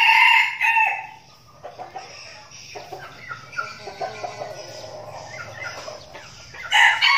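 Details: Flock of captive red junglefowl used as decoys, practising in Binh Phuoc province, Vietnam: a harsh crow ending at the start, several seconds of low clucks and scratchy movement sounds, then a fresh loud crow cut off at the end.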